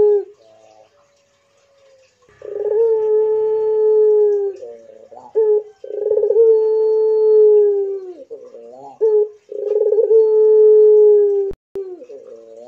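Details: Repeated long coos from a pelung-type Barbary dove, about three phrases. Each has a bubbly start, a sustained flat low tone and a downward tail, with brief wavering notes between.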